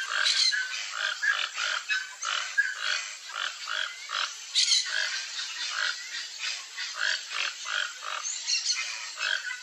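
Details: Pair of toco toucans calling while searching riparian woodland for food: dense run of raspy, frog-like croaks, rapid and rhythmic, with a sharper burst near the middle and continuous background hiss.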